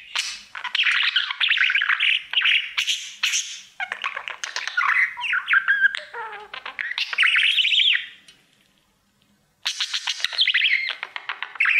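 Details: Male budgerigar singing to its mirror in a home cage: long bursts of chattering, buzzy and whistled warbling, a sliding low note, a clear pause of over a second, then chatter resumes.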